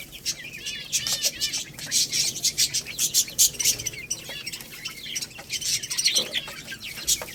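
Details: Chirping of young Lohmann Brown chicks while they eat rice, a little cockerel and pullet; rapid high cheeps, some arched, crowd together with brittle clicks of beaks striking grain and dish.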